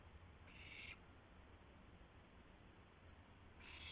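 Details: A gopher brought to an owl just after midnight, April 7, 2016: one harsh, breathy screech, then quiet low rumble, and a second hiss starting at the very end.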